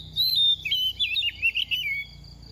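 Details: Moulting oriental magpie-robin, a young bird in its second season, still singing quickly while dropping feathers. It gives a clear whistled note, then a rapid run of looping, warbling whistles that falls slightly in pitch at the end.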